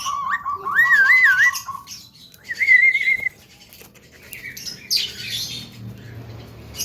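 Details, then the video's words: Young Javan myna singing a melodious song full of varied fill-in phrases: looping wavering whistles, a flat whistled phrase, then scratchy chatter. "BURUNG JALAK KEBO MUDA BERSUARA MERDU FULL ISIAN"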